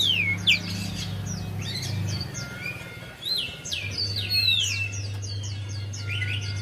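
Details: Lure song of the Javan white-eye for a bird slow to sing. Quick sliding whistles and crisp twittered notes tumble together, with a few longer downward swoops and a low steady hum.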